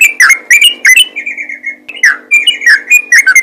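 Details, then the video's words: Yellow-vented bulbul in ropel gacor style: sharp chirps and short warbles broken by a sustained level whistle, then more quick phrases, over a low hum. "BURUNG TRUCUKAN ROPEL GACOR"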